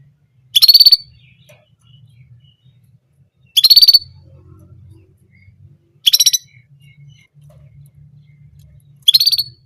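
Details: An orange German canary repeats just one short, high, rapid trilled phrase about every three seconds, with quiet gaps and a faint low hum between bursts.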